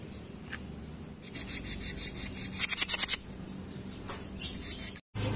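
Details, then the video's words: Jenggot bird singing for songbird training, with a lively stream of high chirps that quickens into a dense cluster of sharp notes, followed by sparser chips and a brief break. "Masteran jenggot mini"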